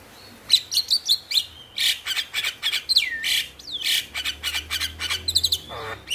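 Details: Male Javan myna delivering vigorous song meant to spur silent mynas to sing: scratchy harsh notes, long looping whistles that dip and climb, and dense clicking, with a faint low hum beneath.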